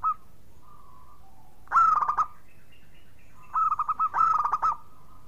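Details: Clear, ringing song of a local zebra dove from Indonesia, played as a lure to restart silent birds; two rolling coo phrases of quick pulsed notes with soft trailing coos between them, over quiet background.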